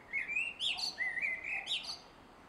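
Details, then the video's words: Male common blackbird singing at dusk in a garden on 3 July 2016: rich whistled phrases sliding around a mid pitch, ending in higher squeaky twitters, two phrases in quick succession over quiet background. "Male Blackbird Singing at Dusk"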